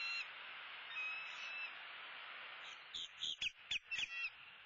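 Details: At a southwest Florida nest during a sunrise feeding, 2-6-16, a bald eagle gives faint drawn-out whistles, then a quick run of sharp, clipped piping notes near the end.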